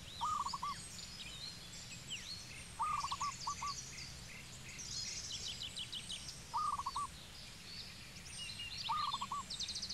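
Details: Zebra dove calling in Cambodia: a short rolling cooing phrase of quick stuttered notes, repeated every three seconds or so, with many higher chirping and twittering birds in the background.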